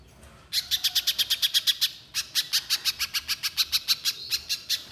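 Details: Little spiderhunter pouring out close-packed, shooting-style song: two long runs of shrill chipping notes, about twenty-five in all, with a brief break between them.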